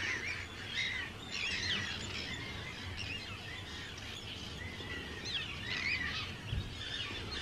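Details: Arctic terns breeding on Rottumerplaat, Netherlands, 4 June 2023; a busy colony with scratchy screeches and thin rising and falling cries, many birds calling, with a low rumble of wind underneath.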